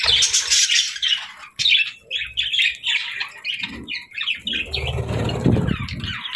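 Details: Happy budgies chirping: a run of short, quick chirps in a rapid series, followed by louder rough chatter mixed with low rumbling noise.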